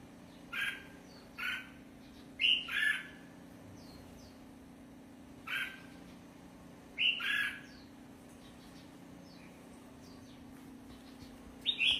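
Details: Red-whiskered bulbul uttering a loose series of short, scratchy notes, some single and some in quick doublets, scattered irregularly across twelve seconds with quiet gaps between, over a soft constant low hum.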